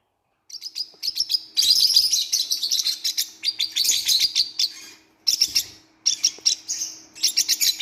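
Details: Newborn Forpus parrotlet chicks giving dense, high, thin chirping peeps in rapid bursts, with a short pause near the start and brief gaps later, calls crowding together and overlapping.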